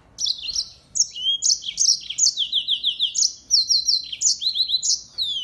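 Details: Mozambique finch, called African canary, singing continuously as a model song for training songbirds: an unbroken string of high, bright chirps and downslurred notes in quick rhythm, with no other sounds.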